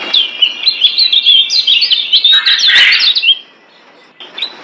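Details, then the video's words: Lombok kecial kuning white-eye master song for training caged birds: a dense, high, warbling chatter of quick slurred notes for three seconds, then near silence and a few faint chirps. "Masteran Kecial Kuning Ampuh Bikin Kecial DIAM Malas Bunyi Jadi NYAUT GACORRR"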